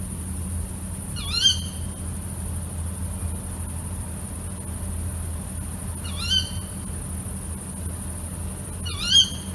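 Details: A female tawny owl at night gives three harsh, nasal, upslurred kewick calls several seconds apart, over a steady low hum and faint high hiss.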